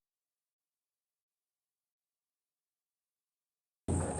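Near silence for about four seconds, then a short broadband burst of noise cuts in at the very end.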